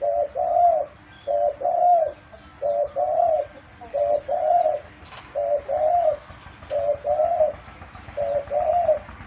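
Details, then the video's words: Pet dove giving a steady run of seven two-part coos, each a brief hoot then a drawn-out rolling note, evenly spaced about every 1.2 seconds with little else audible. "My pet (dove) so wonderful - sound is perfect"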